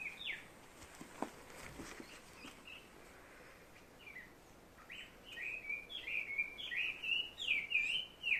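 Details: Unknown bird with a call that sounds like "barbecue" to the recordist: faint scattered chirps at first, then a fast run of sharp, looping notes toward the end, set against constant outdoor hiss.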